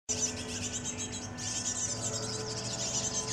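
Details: Great tit (Parus major) fledglings begging while adults feed them, a continuous, high, hissy chatter of rasping notes, over a low steady hum.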